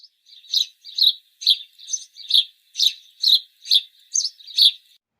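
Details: A house sparrow gives a steady run of about ten bright, high chirps, roughly two each second, with no other sounds behind it.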